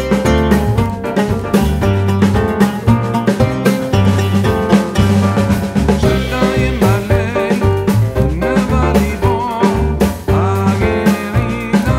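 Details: Music with a steady drum beat, bass and singing fills the whole stretch, with no animal calls heard.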